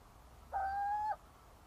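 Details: Little owl giving a single drawn-out, even whistled note lasting about half a second, steady in pitch with a slight rise at the end, over a quiet low rumble.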